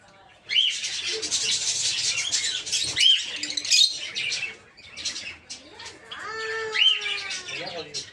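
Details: Dense, continuous chattering and shrill arched shrieks come from a flock of aviary-kept peach-faced lovebirds of several colour mutations, raised for breeding.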